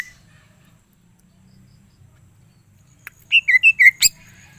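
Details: Greater green leafbird kept as a cage bird, a short burst of four loud whistled notes that alternate up and down, preceded and followed by sharp clicks, after about three seconds of near silence.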